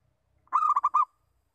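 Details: Zebra dove of a local type sounding its lure call, a single half-second burst of five rapid, soft cooing notes at a steady pitch, the opening note longest, then silence.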